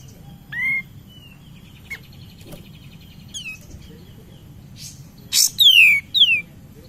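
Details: Kapas tembak, the cream-vented bulbul, calling as a lure to stir other birds: scattered soft short notes over several quiet seconds, ending with a harsh burst and two bright falling whistles.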